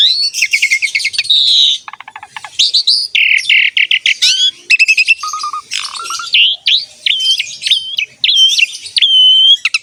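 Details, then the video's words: Asian pied starling, very vocal, singing to coax other caged birds into song: dense harsh chatter and trills give way to a run of repeated looping whistles at the end. "MASTERAN BURUNG JALAK SUREN SUPER GACOR PALING DICARI"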